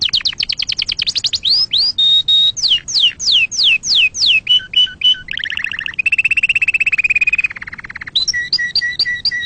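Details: Canary singing a varied tutoring song for young birds: rapid descending sweeps, a steady whistled note, repeated downslurred whistles, a lower buzzy trill, then paired two-pitch notes repeated several times.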